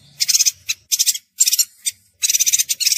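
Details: Bursts of high, rapid, buzzy twittering from a chestnut-crested yuhina, short clipped phrases followed by a longer stuttering chatter at the end, over a quiet background.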